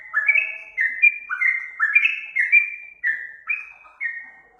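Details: Yellow-vented bulbul song used as tutor material for other birds: a steady run of clear, slurred whistles, each note sliding downward, repeated about twice per second in a bubbly, even phrase.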